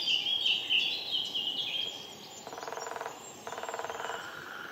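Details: Lesser spotted woodpecker recorded on 19 April 2018: a run of shrill, high repeated notes, followed by two short bursts of rapid, even tapping, each lasting about half a second, over steady background hiss.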